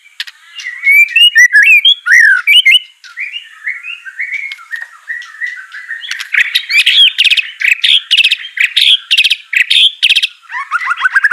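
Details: White-rumped shama song for prompting a lazy bird to sing: sliding whistled notes and warbles, then a dense stretch of loud, rapid, harsh chirps.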